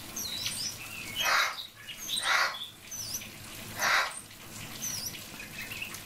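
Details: A common hill myna (Gracula religiosa) calls its friend with three loud, harsh, word-like bursts ("Snezhok") about a second apart, with faint high chirps from other birds behind.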